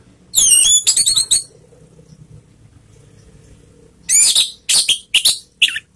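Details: Female orange-headed thrush sounds played as a lure for singing: fast clusters of high squeaky, slurred notes, a quiet gap with low hum, then a second uneven burst of sharp notes.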